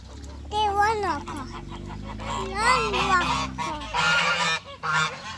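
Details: Farm geese kept with chickens honk loudly in spring, giving harsh, nasal bursts, several overlapping over a few seconds, with a steady low hum behind them.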